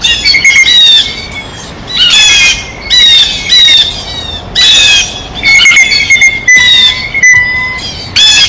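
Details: Blue jays feeding at a feeder call repeatedly with loud, rasping jay squawks roughly once a second, interspersed with a thin, steady whistled note and brief clicks.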